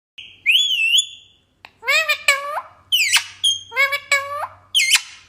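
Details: Parrot indoors in a small room: an opening wavering whistle, then a run of harsh, harmonic-rich calls that rise and bend, several in quick succession, with one short steady whistle between them.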